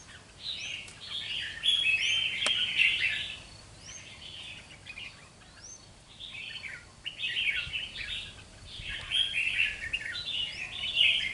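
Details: Caged red-whiskered bulbul, wild-caught and kept two months, displaying with its tail spread in a contest. It repeats rich, chattering whistled phrases in clusters about every two to three seconds, with thin upslurred notes between them.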